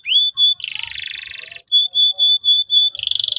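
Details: Singing canary, played to teach young canaries: a rising whistle into a harsh buzzy roll, followed by a string of short clear whistled notes about four per second, closing with another buzzy trill.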